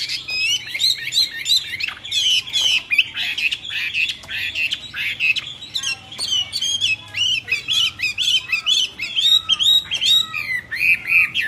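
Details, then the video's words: Myna giving a continuous run of harsh squawks, chattering notes and short twisted whistles in quick irregular bursts for the whole stretch. A faint low hum runs underneath. "طيور البرية غريبة التغريد و من بينهم طائر المينا"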